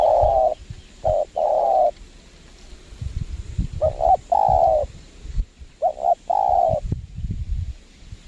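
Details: Lure-trapping session at a windy location with a spotted dove calling: three phrases of short stuttered notes and long rounded coos, separated by gusts of low wind rumble and handling sounds.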